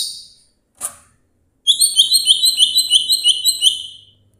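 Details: Greater green leafbird from Banyuwangi, kept as a songbird: after a couple of sharp notes comes a fast, even trill of high whistled notes, about a dozen in two seconds, in a quiet room.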